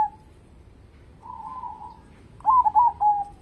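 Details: Zebra dove, local type, singing to encourage other birds: a soft level coo, then a louder wavering phrase of quick stuttered notes that trails off smoothly.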